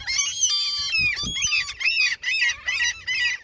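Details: A flock of seagulls gathered for food at a fishing spot in their territory; loud overlapping squealing calls form a near-continuous harsh chorus, with a few dull knocks underneath.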